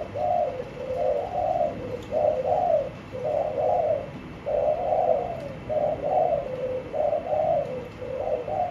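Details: Caged spotted dove repeating soft, throaty coo phrases of two or three notes, about fifty per minute, in a fairly quiet setting.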